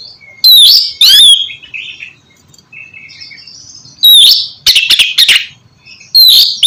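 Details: Oriental magpie-robin (kacer) song meant to stimulate a reluctant bird into singing; loud clear whistles sliding down and up, harsh rasping notes, and soft short twitters between bursts.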